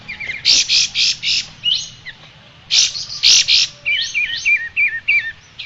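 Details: Striated grassbird singing, recorded as a tutor for caged birds: dense bursts of loud chirps, then a run of zigzag, wavering whistled notes.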